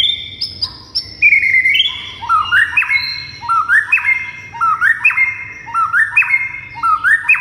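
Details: Vigorously singing white-rumped shama, played to make other shamas answer and become agitated. High clear whistles open, then a looping rising, stepped whistled phrase repeats roughly every second, bright and ringing.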